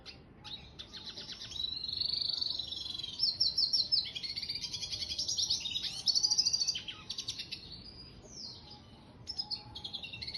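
A red siskin mule sings a fast, continuous twittering song of high trills, buzzy rattles and sweet warbled phrases, with no other sounds.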